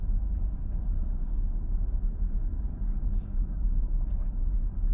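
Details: Steady low traffic rumble from passing vehicles fills an outdoor scene at cherry blossom time in Minami-Ashigara City, with a few brief hissing bursts and no animal voices.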